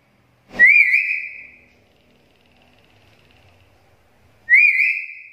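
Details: Black-capped lory lure/training recording of an actively singing bird: loud, clear whistles that rise then hold steady, two calls about four seconds apart, each opening with a harsh burst.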